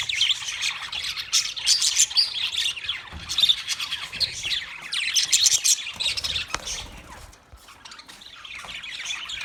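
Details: Wild budgerigars chatter in bursts of high, scratchy chirps and warbles. The sound thins briefly near the end before the chirping resumes.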